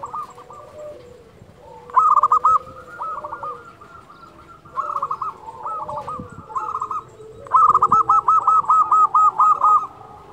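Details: Local zebra dove in lively song, used as a master recording to train quiet doves and lure others. Bursts of rapid, bubbling coos repeat in phrases ending in quick stuttered notes, with softer overlapping cooing in the background.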